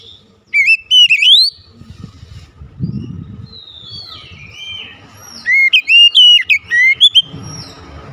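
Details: Oriental magpie-robin lure song showing its repertoire. Loud bouncing whistled phrases are heard, then softer down-slurred notes over low rumble, and a fast, varied series of sharp whistles later on.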